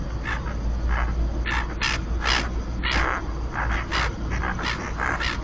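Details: Common tern pairs incubating at their colony on a floating platform in the Marismas de Astillero reserve, Santander Bay, Spain; a busy overlapping series of harsh, rasping calls, some long and drawn out, above a low continuous hum.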